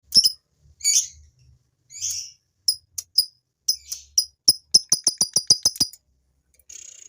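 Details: Male fighter lovebird chattering to stir females into chattering too: sharp high clicks and chips, spaced at first, then speeding into a fast regular run of clipped notes about six per second, ending in a short buzzy trill.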